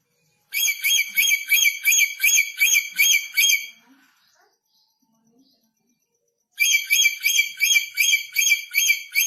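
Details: Red lory, newly arrived from North Maluku and still aggressive, giving rapid series of harsh, shrill screeching notes, about eight in quick succession, then silence before another run of similar grating screeches.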